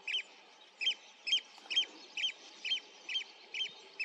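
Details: Eurasian oystercatcher calling in flight over a river, heard from a distance on 27 June 2023; loud piping notes repeated steadily about twice a second.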